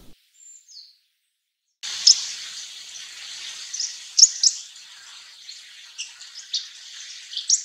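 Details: Russet sparrows (ニュウナイスズメ), a winter flock of mixed males and females, mainly in farmland, giving dense, overlapping high chirps and twitters with sharper notes now and then, after a near-silent opening.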